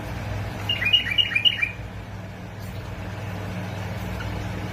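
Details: Bulbuls from Basra and Fao, Iraq, recorded as a clip to stimulate other bulbuls to sing: a short burst of bright, warbled, bubbling notes around one second, over a steady low mechanical hum.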